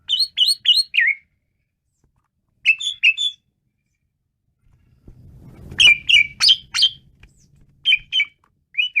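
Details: Asian pied starling singing hard (menggila): short bursts of sharp, chirpy rising notes in groups of three to five, separated by pauses, with a low rumbling noise partway through.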